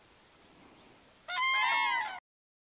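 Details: Common cranes trumpeting in a forest river valley, where pairs answered one another: a sudden, strong, brassy, rattling bugle call that cuts off abruptly.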